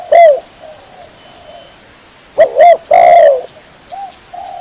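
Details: Spotted dove lure recording, clean and vigorous, meant for luring birds when hunting: a few low hooting coos with gaps of silence between them, plus a faint steady high hiss.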